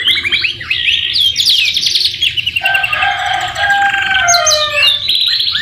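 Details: Luxury canary singing a tutor song filled with murai batu phrases: bright rapid trills, followed by long, lower, sustained whistled tones with overlapping notes, then sharp downward slurs.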